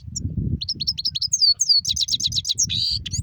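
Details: European goldfinch pouring out a rapid rolling twitter of high, sliding chip notes that ends in a short buzzy trill and a few last chirps, with soft low knocks underneath.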